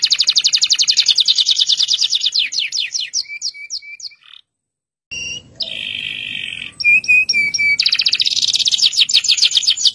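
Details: Local canary singing a long roll intended to make other canaries join in: rapid high trill slowing into downslurred whistles, a silent break, then a buzzy churr, clipped notes and another fast trill.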